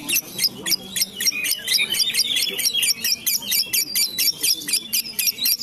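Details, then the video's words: Female lovebird, Tambak Peluru type from Pemalang, delivers rapid, high, squeaky trills and chirps repeated about twice a second in an unbroken chattering run. "Lovebird Tambak Peluru Lovebird Betina yang konslet"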